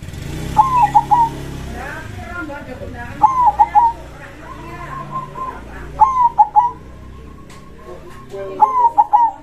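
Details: A local perkutut, or zebra dove, singing eagerly with a big voice in krosing style: four three-note cooing phrases roughly every two and a half seconds, over a rumbling background and faint other sounds.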